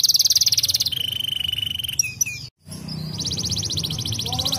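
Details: Canary song made of rapid buzzy trills: a high rolling trill, then a lower steady trill, brief chirps, a short silence, and another high rapid trill, with a low background hum.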